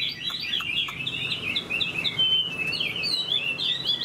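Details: A moulting Chinese hwamei kept in a cage pours out a high, lively warble of rapid whistled slurs that rise and fall, one phrase running into the next.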